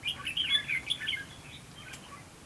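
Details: Brief, dense outburst of liquid, warbling chirps from a red-whiskered bulbul kept as a trap decoy to provoke rivals, the notes tumbling rapidly for about a second before fading to a few soft calls.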